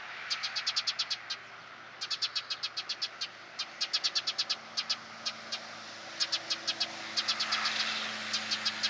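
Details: A Eurasian tree sparrow holding a ladybird in its bill, in Mazovia Province, Poland, in July 2015, gives short, bright chirps in quick bursts of five to eight notes with brief pauses, over a faint low hum.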